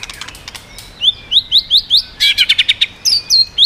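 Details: White-rumped shama singing in a style called 'swallow-chirping voice', with rapid voice shifts and tail flicking, meant to strongly provoke other birds: a quick run of clear, rising whistled notes, each a short upward sweep, repeated in fast succession.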